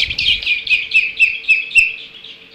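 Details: At the Hog Island, Maine osprey nest on 1 August 2016, the day a bald eagle took a chick, an osprey gives a rapid series of sharp, high whistled chirps, about four each second, over a faint steady hum.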